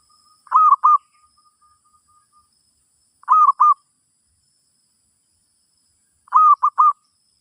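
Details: Zebra dove singing in a teaching session for a new bird: three short phrases of two or three clipped coos, repeated roughly every three seconds against quiet background.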